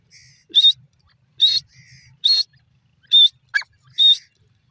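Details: Calling grey francolin, the dasi teetar, repeating five shrill, raspy notes at a steady pace of about one per second, with a short descending chirp from another bird near the end and soft low rustling.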